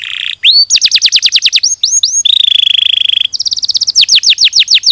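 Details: Canary song from a training recording for other canaries: loud, clear phrases of rapid repeated high chirps, downward-sweeping whistles, and a steady buzzy trill in the middle, with no other sounds.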